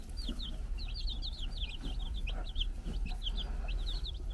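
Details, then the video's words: Young chickens, four days old, on a Czech farm with a brood hen nearby, give a busy chorus of high, downslurred peeps, many overlapping, over a low mechanical hum. "Our New Cute Baby Chickens Running Around and Chirping"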